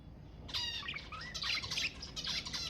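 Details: Budgerigars singing to stimulate mating: a steady stream of bright, chattering warble with quick harmonic chirps and short rising whistles, overlapping almost without pause.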